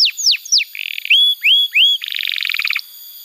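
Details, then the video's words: Lively canary song used as a tutor for young canaries and to restart birds that have stopped singing: three steep descending whistles, a buzzy trill, three rising upslurred whistles, then a fast pulsing two-tone roll. "Pancingan Suara Kenari Gacor‼️ Ampuh untuk Masteran Kenari Muda dan Terapi Kenari Macet Bunyi"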